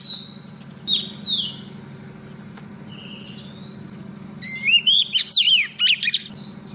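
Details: Female Oriental magpie-robin, a lure bird for trapping, calls a male with a few thin descending whistles, then a loud burst of rapid, wavering whistled notes toward the end over a low background hum.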